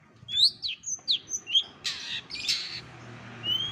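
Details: Cendet, or Long-tailed Shrike, imitating other birds' voices in masteran material for contest-bird training. Bright rising whistles in quick succession lead into two rasping, noisy bursts, then a thin rising whistle at the close.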